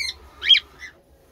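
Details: Young cockatiel chicks raised as pets: a single sharp, quick chirp sweeping up and down, followed by a softer short note, then quiet.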